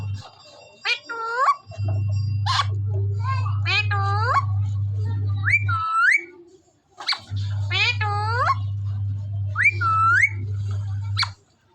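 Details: Indian parrot from Punjab, a desi parrot, repeating grating, upward-curving calls in clusters along with a few whistled rising notes, against a low continuous hum that cuts in and out.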